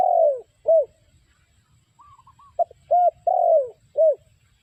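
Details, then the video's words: Lure call of a spotted dove for trapping: a long descending coo followed by short arched coos, pattern repeated after a pause, with faint high whistled notes between phrases. "The Sound Of Spotted Dove Bird"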